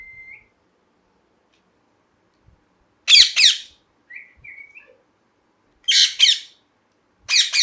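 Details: Parrot giving loud, harsh, raspy squawks in quick pairs or threes, separated by pauses, with soft whistled notes between bursts in a quiet room.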